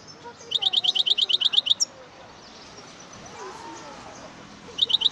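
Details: Singing European goldfinch gives a fast series of about twelve crisp, high, repeated chirping notes, then a pause filled with faint hiss, then another quick burst of the same bright notes at the end.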